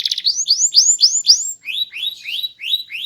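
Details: Small canary in energetic, loud, melodious song, repeating rising whistled swoops about four per second, first high-pitched, then shifting to a slightly lower series.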